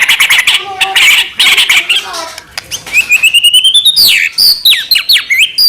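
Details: White-rumped shama song used as a lure to provoke other shamas into singing: harsh buzzy bursts, then a rapid series of rising whistled notes climbing higher, ending in sweeping slurred whistles.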